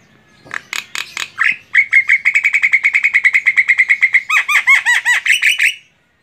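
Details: Singing female Javan myna, kept for training songbirds: a few harsh broadband notes, then a fast, steady train of short buzzy notes, ending in louder curving chattering notes repeated several times a second.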